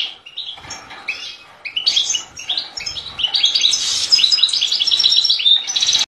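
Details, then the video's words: Goldfinch song starting with spaced chirps, then building into a rapid, dense run of tinkling, buzzy twitters that ends in a bright flourish. "Chant du Chardonneret"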